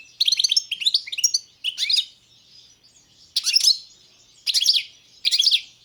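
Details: European goldfinch, subspecies balcanica, in a lively sequence of rapid liquid twitters and trills, then three shorter tinkling bursts spaced about a second apart.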